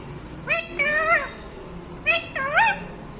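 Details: Parrot giving four harmonic, nasal calls in two pairs. Each note bends up and then down, and the second pair rises more steeply. Light background hiss.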